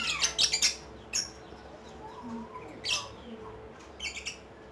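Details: Lovebird ngekek song: a quick run of shrill, raspy chatter notes at the start, then scattered sharp, high bursts spaced a second or two apart, with soft squeaky notes between.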